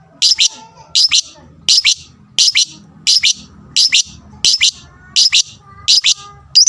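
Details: Lovebird giving its fighting sound, meant to provoke and excite rivals. Loud, shrill, harsh chirps in tight double bursts, repeated steadily about every 0.7 seconds, nine bursts in all, over faint low background rumble.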